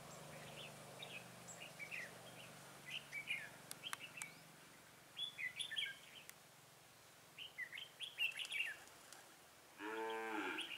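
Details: A decoy red-whiskered bulbul sings to draw wild bulbuls toward a trap on 23 October 2017. It repeats short, lively whistled phrases in clusters with brief pauses. A cow's low moo begins at the very end.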